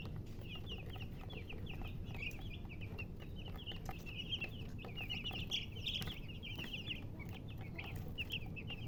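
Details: Baby chicks chirping: a dense stream of short, high, downslurred peeps running continuously, several birds overlapping, over steady low rumbling background noise.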